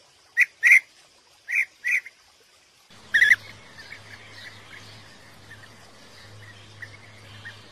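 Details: European bee-eater (Merops apiaster), song.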